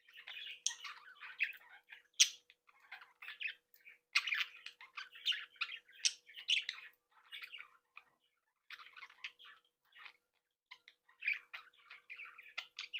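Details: Budgerigars of a captive breeding flock, chicks and young leaving the nest, in happy chatter: dense warbling, chirping and short squawks overlapping almost continuously, with brief pauses, all fairly high and scratchy.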